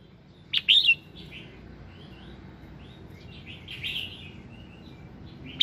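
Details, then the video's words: A red-whiskered bulbul sings in the morning: a loud, bright, chirpy burst, then softer liquid warbled notes and another sharp phrase near the end, over faint background hiss. "Tiếng Kích Giọng Chào Mào Hót Sáng"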